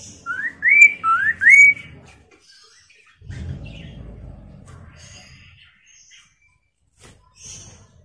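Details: Chinese hwamei singing to draw replies from other hwameis: three quick, bright upslurred whistles in the opening two seconds, then near silence with a brief low rumble and a few faint chirps.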